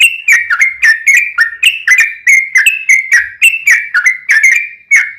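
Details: Captive-bird lure: a yellow-vented bulbul sings a continuous string of bright, bubbly, slurred whistles, each dipping then rising, delivered quickly and evenly throughout.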